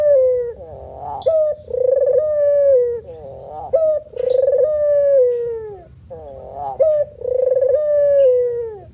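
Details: Male spotted dove performing manggung cooing: about four phrases, each a short rising note followed by a long smooth slightly falling coo, with brief faint high clicks in the background.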